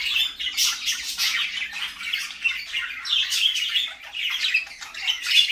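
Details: Parakeets chattering in the morning, dense rasping squawks and quick squeaky notes rising and falling without a break.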